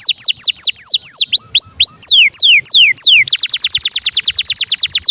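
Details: Canary singing starling-style phrases: loud descending whistled sweeps about three per second, a few rising notes, then a very fast even trill of repeated downslurs to the end, close and clean.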